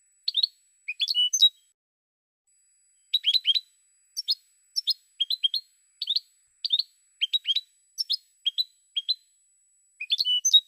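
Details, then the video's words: European goldfinch singing steady sequences of bright, quick chirps and liquid slurred notes, delivered in small clusters with brief pauses, no competing sounds. "Cante De Jilguero"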